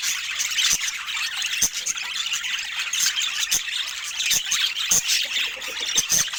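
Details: Pet budgerigars chattering: dense, continuous high twittering and scratchy warbles with sharp squeaks, broken by brief clicks and taps, filling the whole stretch without pause.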